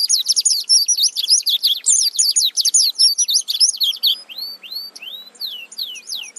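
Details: Oriental white-eye giving its rolling song, recorded as a master for training other songbirds: a fast, continuous rolling warble of high twittering notes, then slowing into separate thin, downslurred whistles.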